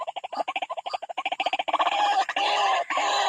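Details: White-breasted waterhen attacking a rival at a bird trap: rapid stuttering croaks, several per second, building into a dense continuous harsh chatter.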